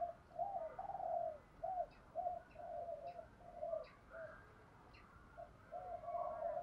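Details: Spotted dove cooing from a cage, a recording meant to make other doves call: repeated mellow coos over steady background hiss, with faint high clicks or chirps above.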